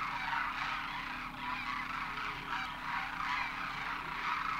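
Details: Wild Demoiselle cranes in their thousands make a migratory landing at a Khichan water hole in Rajasthan, India, having crossed the Himalaya. A busy flock chorus of overlapping trumpeting, croaking calls pulses in loose waves throughout.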